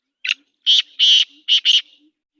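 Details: A kala teetar (black francolin) delivers its harsh, grating call of five notes: a short clipped start, two extended buzzy notes, then a rapid final pair, with nothing else audible.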